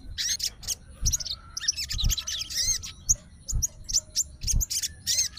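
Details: Agitated captive sooty-headed bulbul answering a rival's song. It gives short, broken bursts of high chirps and curling whistled notes with brief silences between them.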